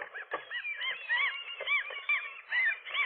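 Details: Nesting gull couple wrestling an intruder gull on a rooftop, morning of 4 April 2023; shrill downslurred and arched squeals, several birds overlapping, delivered in quick succession about once a second.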